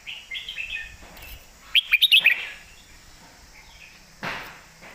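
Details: Caged red-whiskered bulbul singing a loud, clear master-pattern song: one quick burst of bright, bubbly whistled notes mid-clip, with softer warbling before it and sharp clicks and background noise around.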